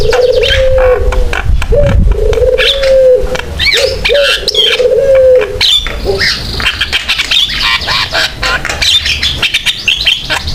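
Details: Actively singing Javan myna, recorded as a lure to prompt other mynas to sing. Three long low drawn tones open the clip, followed by a dense run of harsh clicks, squeaks and high whistled sweeps.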